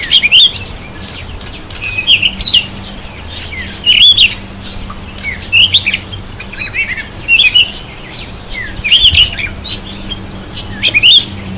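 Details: Cape robin-chat, recorded while bathing, giving bright, varied chirps and short whistled notes in irregular bursts every couple of seconds over a faint low hum.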